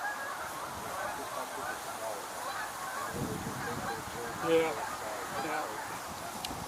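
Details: Flock of Canada geese (Branta canadensis) honking in a steady, overlapping chorus of nasal two-note calls during a walking tour on 10/8/2022, with a man's voice faint in the background.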